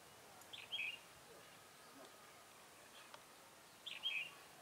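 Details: Decoy red-whiskered bulbul at a trapping site, 7 January 2018: two short, bright chirped phrases about three seconds apart, with quiet ambient hiss between them.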